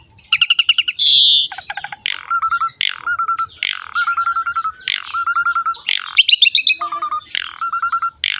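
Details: Richly varied Asian pied starling song for training young males and females to sing: rapid stacked chattering notes, a long harsh squeal, then repeated steady whistled phrases broken by grating bursts.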